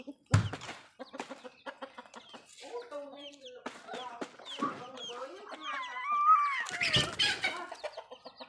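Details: Backyard hens clucking while feeding, a busy run of short repeated clucks with some higher rising squawk-like notes, a sharp knock at the start and a loud noisy burst near the end.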